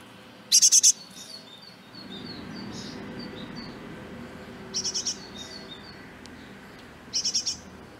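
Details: Great tits raising a brood of ten in a trash bin until fledging. Three separate bursts of fast, high, rattling chirps, the first loudest, over faint lower twittering and a low steady background hum.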